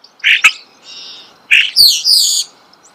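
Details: Starling heard close up in a natural setting, giving rasping squawky chirps, a faint buzzy note, then a sharp click and a high, harsh, scratchy phrase of descending buzzes.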